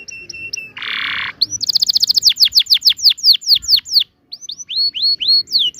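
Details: Canary song for tutoring young canaries: a few thin high notes, a harsh buzzy burst, then a fast rolling trill of downslurred whistles and separate rising notes after a short gap.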